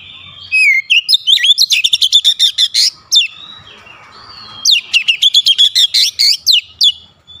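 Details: Rapid-fire "nembak" song of an Oriental magpie-robin: two long volleys of loud, sharp, evenly spaced notes, about a dozen each, broken by a short quieter whistle.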